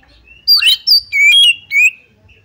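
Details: Loud Oriental magpie-robin phrase meant to goad another bird into a fight: four clear whistled notes, rich and slurred, the longest one held steady before a final rising note.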